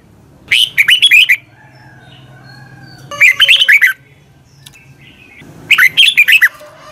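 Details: Morning song of a red-whiskered bulbul for training birds: three crisp, chattering phrases of rapid up-and-down notes spaced about two and a half seconds apart over a low hum.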